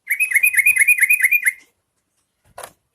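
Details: A yellow-vented bulbul sings to draw other bulbuls into song, giving a quick burst of about twelve sharp, repeated chirps in a second and a half, then falling silent apart from a brief soft rustle.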